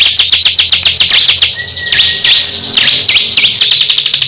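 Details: Crescent-chested babbler trading song with a rival bird; very fast stuttering buzzy notes, roughly four per second, broken by a steady mid whistle and a short rising whistle.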